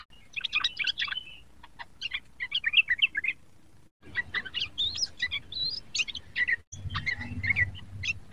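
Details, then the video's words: A young sooty-headed bulbul rehearses song in dense bursts of rapid chattering and warbled notes, broken by two sudden silent gaps, with some low rumble later on. "burung trucuk muda belajar bunyi"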